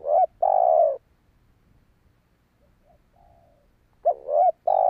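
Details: Spotted dove cooing to lure wild doves: a long low coo at the start, a soft distant coo in the pause, then a fresh phrase of wavering notes and a sustained coo.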